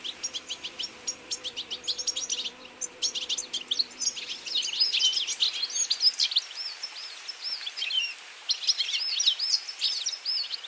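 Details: Goldfinches feeding together in autumn, a continuous overlapping twitter of liquid, high chirps and trills from many birds, with a faint low hum in the first few seconds.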